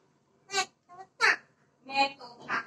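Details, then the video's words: A talking, singing pet parrot gives five quick, voice-like syllables in under three seconds, mimicked human speech with some bright, shrill notes, in a quiet room. "mein tota mein tota!! gana gane wala tota"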